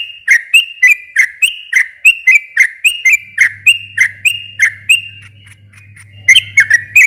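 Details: Lure recording of a sooty-headed bulbul singing to rouse a silent bird into reply. Steady chain of sharp whistled notes, several per second, that pause briefly before resuming, with a low hum in the background.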